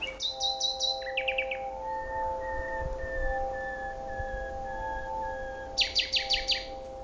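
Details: Common nightingale singing; its song holds up to 300 phrases built of short strophes, each with an opening, central body and closing flourish, which older males add to and females weigh when choosing mates. Rapid bursts of repeated high notes open and close, over sustained musical tones.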